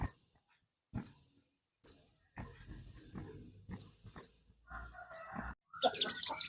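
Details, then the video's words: Cage-kept sogon, used to stimulate other birds into song, repeats single sharp high chips roughly every second, then breaks into a quick high buzzy trill at the end. "PANCINGAN SOGON. BIAR SOGON MU IKUT CEPAT RAJIN BUNYI"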